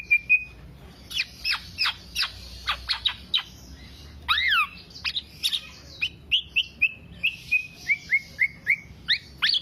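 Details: Black-naped oriole in 'teler' song meant as a master recording for songbird keepers; a level whistle, then quick descending chirps, a harsh burst, and a run of short falling whistled notes.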